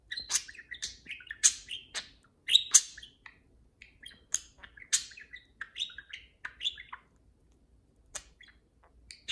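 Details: Two parakeets talking to each other as they play, with a steady stream of bright chirps, clicks and warbled twitters, busiest early, then thinning to sparse tweets.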